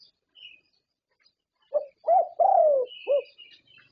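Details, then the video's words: Contest-winning zebra dove from Thailand gives a short phrase of four low, resonant coos, the third drawn out and falling, with scattered high chirps of other birds in the background. "Perkutut juara Thailand"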